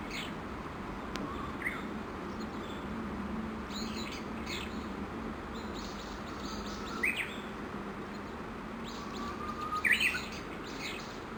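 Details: Early-morning Japanese bush warbler song at about 7:30, recorded under a chinaberry tree in Kawashima, Tokushima Prefecture, Japan, where dozens gathered apparently feeding. A long thin whistle ends in a quick rising flourish, with other high chirps scattered through a steady hiss.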